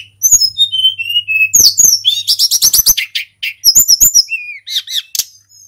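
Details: Mountain tledekan in full song, played to stir other birds into singing: descending whistled slurs open into rapid rattling trills of high buzzy notes, then sharp chirps and upward-flicking whistles.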